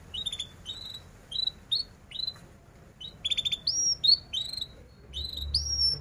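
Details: Canary in full song, used as a tutor recording so young canaries learn to sing; sparse high upslurred chirps in short bursts, some doubled, separated by pauses, with a faint low hum beneath.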